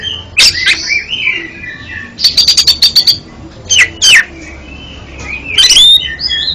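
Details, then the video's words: Oriental magpie-robin song, offered as therapy for a magpie-robin that falters: rich whistled phrases, a rapid series of six clipped notes, sharp downslurred squeals and a final rising whistle. "MANTAB BUAT TERAPI KACER ANDA YANG GAGAP BUNYI JADI JOSS KICAUANNYA"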